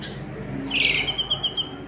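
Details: Canary pair at the nest during chick feeding; one strong, bright chirp, followed by a quick series of short, evenly spaced high ticks that fade out.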